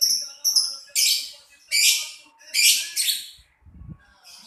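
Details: Lovebird calling with a series of loud, grating screeches and high squeaks about once per second, followed by a soft low thump near the end.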